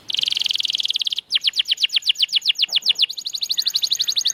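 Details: Canary song used as a master recording to prompt silent canaries to sing again: a rapid buzzy trill, then a series of sweeping descending whistled notes, then a fast high rolling trill.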